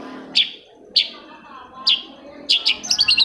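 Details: Long-tailed shrike song meant to prompt quiet shrikes into singing: a few isolated sharp high notes spaced about half a second apart, then a tight burst of rapid chattering notes at the close.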